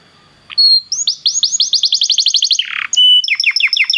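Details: Belgian canary singing to warm up a canary: a thin whistled note, then an accelerating run of rising slurred notes, a brief buzzy rasp, and a rapid repeated two-part phrase.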